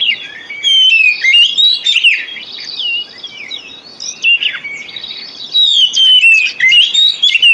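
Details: Oriental magpie-robin lure song for birds that have stopped singing. Loud, varied whistled phrases with rising and falling sweeps come in bursts about every one to two seconds, separated by short quieter gaps.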